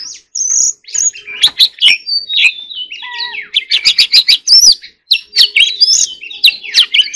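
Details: Warbling 'hót líu' fighting song of an Oriental magpie-robin: high thin whistles opening into a tumbling medley of trills, clicks and slurred notes, a quick rattling burst in the middle, near-continuous to the end.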